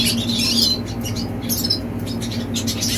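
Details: Brief snatch of young red siskin song, a few high twittering chirps and a short buzzy note, with a steady low hum behind.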